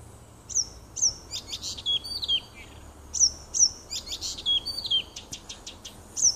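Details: Nightingale song from a small wood beside a home, 30 June 2015. High descending whistles and clipped notes come in quick bursts, and some phrases step down to lower slurred whistles. The wood is otherwise quiet.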